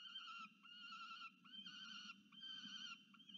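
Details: Young peregrine falcon begging food from a parent on a university nest camera in Orange, New South Wales, Australia, November 2022: long, drawn-out harmonic wails, each about a second, separated by brief breaks, over a steady low hum.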